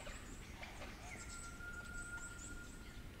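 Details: One long, level, pure whistle held for about two seconds from a Superb Lyrebird of the flute-accented Werrikimbe population, New England Tablelands, amid a noisy wash of forest sound and scattered high ticks.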